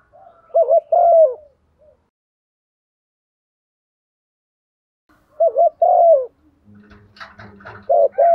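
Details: Female spotted dove used as a lure, giving a soft cooing call: two short bursts of low, slurred coos near the start, a pause, then another pair of coos, with faint scratchy noise and a final coo at the end.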